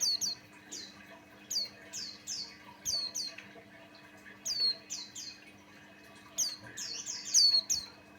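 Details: Singing Buxtoni white-eye used as a lure for other white-eyes: dense series of high, descending chirps, often in quick pairs or triplets, near-continuous across the stretch, with faint background hum.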